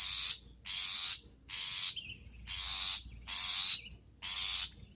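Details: Long-tailed shrike in energetic filler-rich song: six harsh, grating, buzzy notes in quick succession, roughly one every 0.7 seconds.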